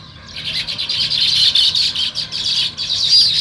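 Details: Sparrows chirp steadily in a natural morning setting, a dense run of quick high tweets repeated without pause over a faint low hum.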